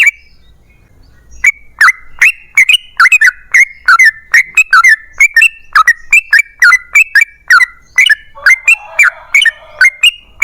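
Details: A yellow-vented bulbul gives a long, rapid 'ropel panjang' song meant as a lure to get other bulbuls singing. After a brief quiet start come steady bursts of liquid, warbling whistles that dip and climb, with a few harsher notes near the end.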